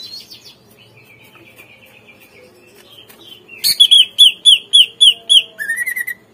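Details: Greater green leafbird song played as a lure to make untrained caged birds respond and sing: faint soft warbling at first, then a loud series of about eight clear, evenly spaced whistled notes, ending in a short buzzy trill.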